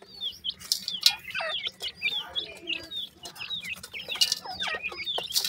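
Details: Several francolin (partridge) chicks, both male and female, peep in quick, high, overlapping chirps, many each second, with occasional louder rustling or scratching noises.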